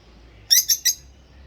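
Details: Two rosy-faced lovebirds singing and chirping together: three quick, harsh, high chirps in a tight burst, each stacked and buzzy, over a faint low hum.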